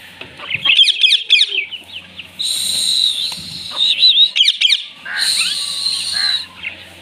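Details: Indian ringneck parrot greeting a baby parrot of its kind: clusters of sharp chattering notes and short squeaky whistles, with a few louder shrill bursts.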